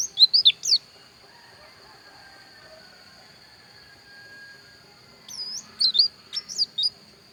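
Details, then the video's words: Pleci dakun white-eye from Pupuan, Bali: two short bursts of high, thin, twisting chirps, one at the start and one near the end, separated by a quiet gap with a steady faint high tone behind. "Suara Pleci Dakun Bali Pupuan"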